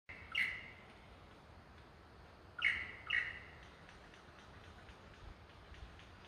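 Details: Male superb lyrebird in courtship display to a passing, uninterested female, Cathedral Range State Park, Victoria, Australia; three loud, sharp, ringing notes, the last two close together, with quiet forest background between them.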